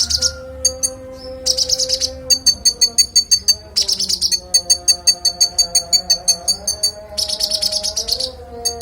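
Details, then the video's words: Konin song used as master training audio for songbirds: fast series of high, sharp chips delivered in rattling bursts and steady pulses, with sustained low tonal notes running underneath. "Konin bongkar isian suara jernih"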